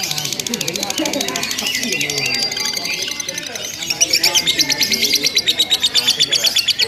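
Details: Lovebirds in a simulated singing contest, performing ngekek, long nonstop chattering: dense, rapid high-pitched trills pour out continuously, growing louder and more sharply pulsed in the second half.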